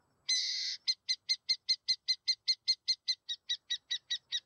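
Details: Burrowing owl: a harsh, rasping screech lasting about half a second, followed by a steady run of about seventeen short, sharp, chattering notes at roughly five per second. The recording is clean, with no other sounds.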